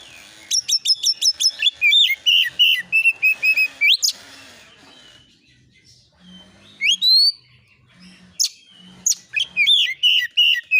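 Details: Kacer (oriental magpie-robin) lure recording, 'nembak isian' song to make birds answer: rapid bursts of sharp rising whistles and chattery trills, a pause with scattered notes, then another quick burst, against a faint low hum.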